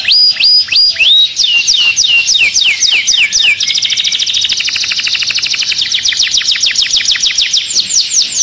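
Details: Canary singing excitedly in its cage: a series of sharp, evenly spaced upswept chips, then a long rapid buzzy trill, ending with a few sweeping whistled notes.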